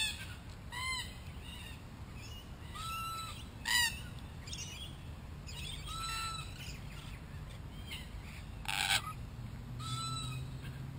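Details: Wild Red-tailed black cockatoos in Australia, a group exploring a hidden camera, give drawn-out, rising-and-falling nasal calls every few seconds, some doubled, over a low steady background hum.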